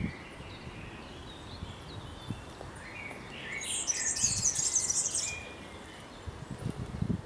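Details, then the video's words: European serin (Serinus serinus) singing in a Berlin graveyard: a rapid, very high, glassy and slightly buzzy jingling burst lasting about a second, after fainter bird notes and a low background rumble. "The European Serin (Serinus serinus) song."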